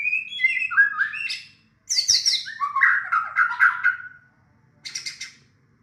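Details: White-rumped shama (murai batu) singing in reply to a lure recording: rich, fluty warbled phrases rising and falling, a high sharp burst, then a long rolling lower warble and a final short high chatter.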